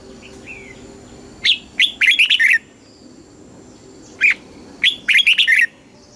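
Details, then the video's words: Thai red-whiskered bulbul song in the southern master phrasing, used to excite caged bulbuls and train chicks. Two lively phrases of rapid chirpy, warbling notes, the second following the first after nearly three seconds of quiet. "เสียงนกกรงหัวจุก สำหรับต่อ หรือ เปิดให้นกคึก เสียงเพราะๆ"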